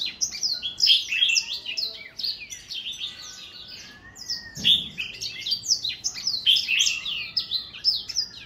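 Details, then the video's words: Rapid, rich warbling song from an older black-throat: dense runs of sweet whistles and trills, a brief softer dip midway, then a renewed burst of quick varied phrases. "Older Black-throat singing ~ 老黑喉燕歌唱"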